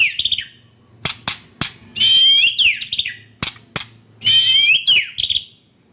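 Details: White-rumped shama song used as a lure to coax caged shamas that have stopped singing: sharp loud clicks repeated irregularly between high buzzy, rasping phrases with a bright whistled note, separated by short silences.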